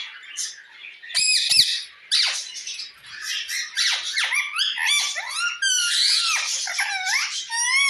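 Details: Shrill, raspy parrot squawks and screeches pour out almost without pause as one parrot calls another, mixing grating bursts with rising and falling whistled squeals.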